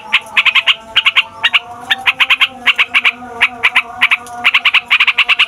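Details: Yellow-vented bulbul, a noisy fighter bird, singing to provoke other songbirds: rapid notes grouped in short bursts of three to five, separated by brief gaps.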